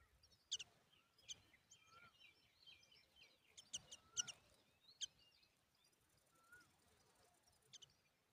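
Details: Tailorbird at the nest while feeding its chicks a butterfly; sharp high chirps at irregular intervals, some brief downslurred whistles between them, over a soft rural background.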